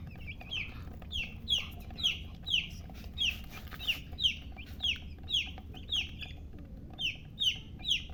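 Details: Chicks giving a steady run of high downward-sliding peeps, roughly two per second, some overlapping, with a constant low hum underneath.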